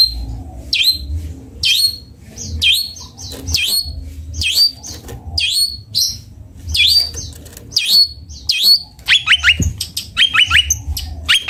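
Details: Long-tailed shrike (cendet bondol) uttering sharp upswept whistled chirps about once a second, ending in a quick burst of rapid squeaky twitters.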